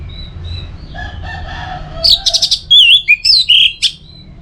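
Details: Orange-headed thrush (anis merah) song meant to get other birds singing: soft lower warbling gives way to fast, varied, sharp whistles and twisting high notes.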